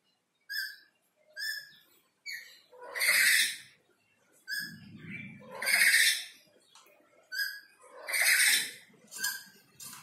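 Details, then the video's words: Black-capped lory calling behind a window, repeatedly chattering: a run of harsh screeches mixed with shorter nasal notes, irregularly spaced, with a low rumble behind one call. "BURUNG NURI KEPALA HITAM MERAH MAUNYA BERKICAU TERUS"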